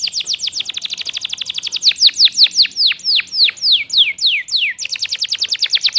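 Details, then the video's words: Domestic canary in full varied song for training competition birds: fast repeated downward flicks, then slower loud descending whistles, then a quick flurry of flicks again. "Kompilasi Masteran Kenari Gacor panjang full isian. Cocok untuk Kenari Juara"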